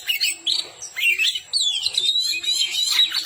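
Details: Kacer (oriental magpie-robin) masteran song: short bright whistled phrases and upslurs leading into a long descending, rippling whistle, crisp and loud.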